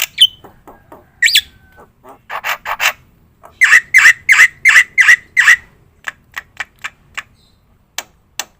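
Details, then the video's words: Black-winged myna in full song, used as a lure and master recording: a whistled upslur, scattered rasping notes, then a steady run of five loud buzzy notes about a third of a second apart, fading into softer clicks. "suara top jalak putih gacor - sekali putar bikin bunyi semua burung - masteran - pancingan"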